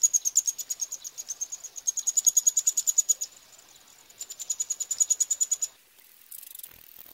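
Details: Eurasian wryneck chicks being fed by adults at Pribytki, Russia, on 2 July 2018: rapid, high, buzzy hissing pulses in two long bursts, about three per second, with a short pause between and quiet at the end.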